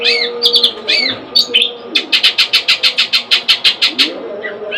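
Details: Kept long-tailed shrike opening with a few slurred whistles, then a rapid train of about fifteen even, evenly spaced sharp notes; a low steady hum persists in the background.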